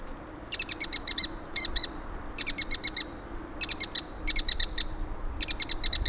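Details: Bull-headed shrike calling in autumn 2023 along Gongneungcheon stream: harsh, rapid chattering bursts of sharp high notes, each burst half a second to a second long, repeated in quick succession throughout, over faint low background hum.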